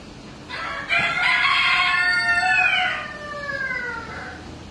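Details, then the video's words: Rooster at Ueno Zoological Gardens in Japan crowing: a long, rich, harmonic cock-a-doodle-doo lasting about four seconds, opening with a rough note, holding steady, then sliding down at the end. "Cock-a-doodle-doo.Ueno Zoological Gardens.コケコッコー。上野動物園。"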